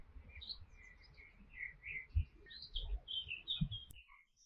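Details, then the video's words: Canary uttering a loose series of short high chirps and tweets, spaced irregularly, over faint low knocking and handling noises that stop abruptly near the end. "Canary Singing"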